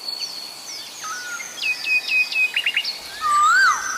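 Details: After a burst of quick high chirps and trills from other birds, an Asian koel, or koho, heard at Sinhala and Tamil New Year, gives one loud rising-then-falling whistled note.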